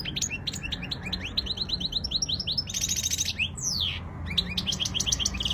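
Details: European goldfinch performing a Spanish-style song, rapid repeated upslurred twitters, a harsh buzzy stretch and a long descending slur, over steady low hum.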